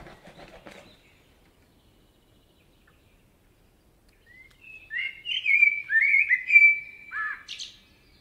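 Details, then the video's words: Woodland in Spain: a low, brief rustle first, then a few seconds of quiet before a common blackbird sings one mellow phrase of sliding whistles ending in a sharp, high squeak. "Common Blackbird Song & Calls - The sounds of a blackbird singing in a forest"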